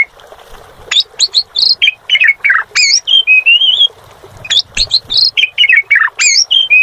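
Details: Jalak suren, the Asian pied starling, pouring out two similar phrases of whistled chips, down-slurred buzzy notes and a wavering whistle, separated by a brief pause.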